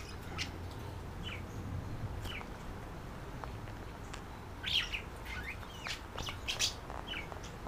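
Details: Two budgerigars, a visiting female and a resident male, exchange calls while being put up for the night and flirting; sparse high chirps spaced over several seconds, a brighter cluster near the end, soft background rumble.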